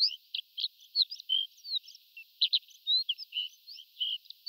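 Horned lark giving a rapid, irregular run of high, thin tinkling notes and short twittered slurs, several per second, with no other sounds.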